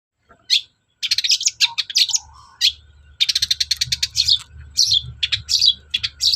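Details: Long-tailed shrike, a kept bird singing persistently, used as a lure to get reluctant shrikes to sing: dense bursts of high, scratchy chattering notes in quick runs, with short pauses and a faint low hum underneath.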